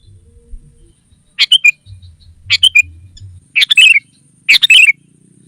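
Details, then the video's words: Sooty-headed bulbul calling to lure wild rivals: four short, loud, bubbly phrases, each a cluster of bright notes ending in a lower slurred note, about one second apart. "Suara Burung Kutilang Pikat GACOR SUKSES Memanggil Lawan! Kutilang Liar Auto Kumpul"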